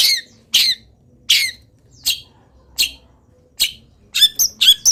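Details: Long-tailed shrike, singing steadily through its moult, delivering wild-bird imitations: loud harsh squawky notes spaced about a second apart, ending in a quick cluster of chattering phrases.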